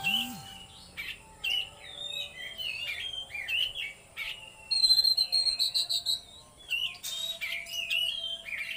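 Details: Oriental magpie-robin in full-power trotol and konslet song, mixing sliding whistles with a burst of fast, evenly repeated high notes near the middle, over a steady faint electrical hum.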